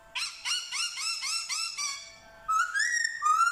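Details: Black-throated laughingthrush, Vietnam, singing and copying dogs, cats and chickens: a rapid run of about eight rich harmonic yelping notes, then two long rising whistles.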